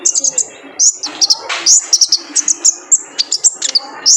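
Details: Male kolibri ninja sunbird used to coax caged birds into song: crisp, high, piercing chirps in quick pairs and triplets, about a burst every quarter second.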